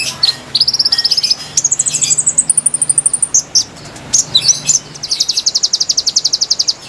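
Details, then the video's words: Melodious konin song used to attract wild konin: continuous high trills stepping up in pitch, a burst of sharp chips and squeaks, then a long, rapid, even trill. "MASTERAN GACOR PIKAT KONIN KONIN LIAR | KICAU MERDU ASLI SUARA BURUNG"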